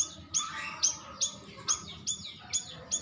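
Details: Short lure call from a stripe-throated bulbul, meant to draw an answer: crisp, very high ticks with falling tails, about two a second, over a low murmuring background.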